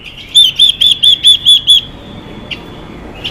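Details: Female Chinese hwamei singing to rouse males: a run of seven ringing, arched whistled notes, then quiet with one faint later note.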